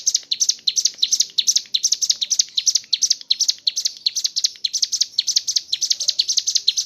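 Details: Ciblek gunung, the mountain leaf warbler, in full ngebren song filled with kapas tembak material: a dense run of sharp, high ticking notes in short rising phrases, almost three per second, with no pauses.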